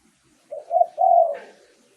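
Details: Single phrase from a spotted dove lure recording: a soft short coo, a louder second coo, then a long, steady, slightly falling low note.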